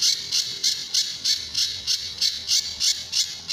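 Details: Sunda bush warbler, the pijantur, in a master recording for teaching other birds, with tembakan and besetan phrases: about eleven harsh, rasping high bursts in quick, regular succession.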